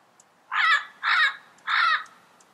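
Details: Three loud, raspy squawks from a wild yellow-headed parrot, each about a quarter second long and spaced roughly half a second apart, against a quiet natural background.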